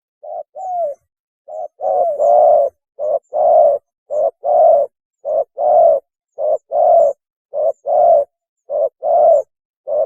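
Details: Spotted dove calling to mate, recorded for luring: steady repeated phrases of a short coo then a longer hoarse coo, about one phrase per second, evenly spaced over the whole stretch.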